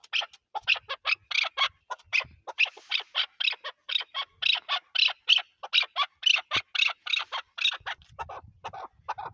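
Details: Chukar partridge, named as Pakistan's national bird: a fast, fairly uneven run of short, harsh, broadband chuck notes, about two per second, continuing for nine seconds against a quiet background.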